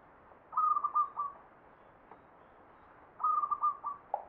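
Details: Perkutut, the zebra dove, giving its ngepat song to the Mataram Jogja standard: two clear, even cooing phrases, each a quick run of about five bouncing notes, spaced roughly two and a half seconds apart over a quiet background.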